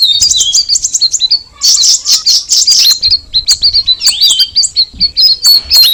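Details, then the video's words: Sooty-headed bulbul pouring out high, busy twittering song, with a run of rhythmic chirps at the start and a string of evenly spaced clipped notes toward the end. "the alluring sound of the cucak rawis bird"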